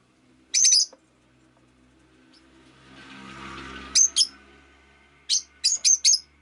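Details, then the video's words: Shrill, high chirps from a rosy-faced lovebird come in short clusters of two or three notes. A low rumble like passing street traffic swells and fades in the middle. "Lovebird Chirping Sounds"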